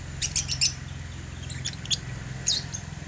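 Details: Caged African lovebirds eating holy basil give quick, high twittering chirps in small groups over a steady low hum.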